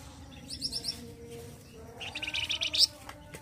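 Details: Flamboyan bird's loud, rough song, valued for training other cage birds: a short run of quick high notes, a pause, then a louder rapid buzzy trill ending in a sharp peak, over quiet background chirps.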